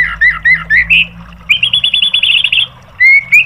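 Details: White-rumped shama song used to train caged birds: short whistled notes, then a fast even rattle of repeated notes, then two clear whistles, with a low hum beneath.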